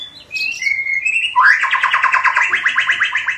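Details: White-rumped shama; subsong; young bird practising its song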